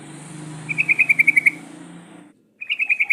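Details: Sooty-headed bulbul song used as a lure to get other bulbuls singing: a rapid rattling trill of about ten evenly spaced bright notes, a short pause, then another trill, over a low steady hum.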